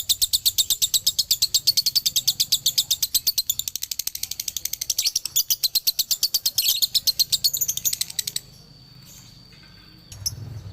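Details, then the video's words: Male lovebird from Ciamis in dobelan song: a dense, rattling series of sharp high chirps for about eight seconds, then near silence with one faint tone and a short noise at the end. "SUARA ASLI DOBELAN LOVEBIRD JANTAN"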